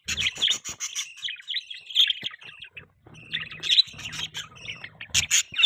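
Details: Budgies chattering and chirping, a running stream of warbled, squeaky notes with clicks, pausing briefly before resuming in lively bursts with sharp high peeps.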